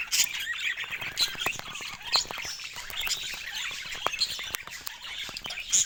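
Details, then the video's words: Morning budgie flock chattering steadily: rapid high chirps, clicks and scratchy twitters layered together without pause, occasional sharper squeaks standing out above the soft, continuous warble. "Peaceful Morning with Budgies – Nature’s Alarm Clock"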